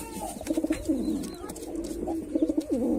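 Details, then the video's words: Performing male white pigeon giving continuous low bubbling coos, stuttering pulses ending in a wavering dip, repeated twice across the recording, with faint clicks behind. "Pigeon Sound Effect || Male Pigeon Super Performance"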